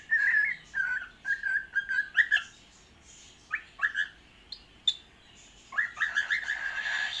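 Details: A happy cockatiel sings and plays, giving a run of clear, mid-pitched whistled notes in short bursts with a few sharp clicks between them.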